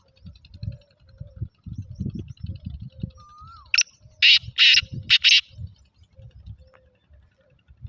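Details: Black francolin, known locally as Sindhi kala teetar, kept for sale; a loud harsh call of four grating bursts in quick succession near the middle, over low rumbling background noise and a brief whistled slide.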